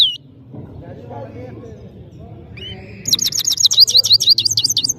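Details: European goldfinch, known as saira in Parachinar, singing: a thin whistle, then a lively run of high twittering notes repeated quickly over the second half.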